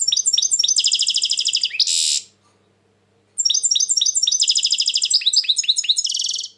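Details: European goldfinch in 2020, described as very agitated lately, delivering long rapid trills of high tinkling notes, a harsh buzzy ending, a one-second pause, then another extended run of fast repeated twitters and a buzz.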